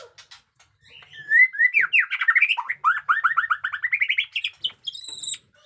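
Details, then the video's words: Freshly moulted white-rumped shama pouring out a dense, rapid string of slurred whistled notes in quick succession, batuk koral and muntah beling fighting song, ending with a few high separate calls. "MURAI BATU JENGGOT DEWA fighter abis Batuk Koral, Muntah beling"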